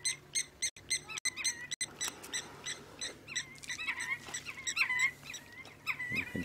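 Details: Senegal lapwings in a mixed flock with crowned lapwings fly around at sunset in Sabi Sand in June 2016. They give sharp, shrill piping notes in quick overlapping bursts and a few drawn-out wavering cries, over a low vehicle engine hum.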